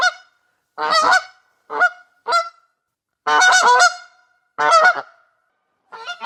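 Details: Goose giving harsh, brassy honks, some short and clipped, others drawn out and rasping, in uneven series with brief pauses.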